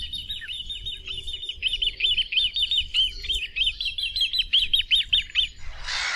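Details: Great crested grebe (Podiceps cristatus) calls while swimming, a long, rapid series of high piping notes, about four or five a second, over a low rumble, ending in a burst of rushing noise.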